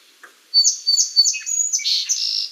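A Song Sparrow sings a quick series of clear, high notes that run into a buzzy trill and a jumble of rapid, varied phrases.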